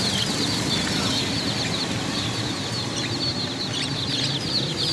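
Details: A large group of chicken chicks peeping nonstop, shrill overlapping chirps with some sharper single notes standing out, over a faint low rumble.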